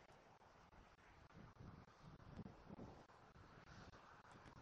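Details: Quiet wind rumble with soft rustling continues throughout, with no animal calls heard.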